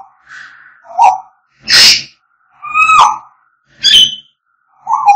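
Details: African grey parrots singing and whistling: alternating low whistled notes and loud, breathy squawks about once a second, with a few sharp falling whistles between them.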